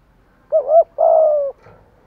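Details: Decoy spotted dove cooing to provoke and lure wild doves: a low, mellow two-part phrase, a short wavering double note followed by a longer, steady drawn-out coo, over a quiet background.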